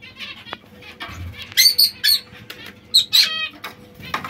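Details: Small white zebra finches giving loud, short nasal honking calls, mostly in close pairs, with fainter chattering notes between them and a soft low rumble in the background.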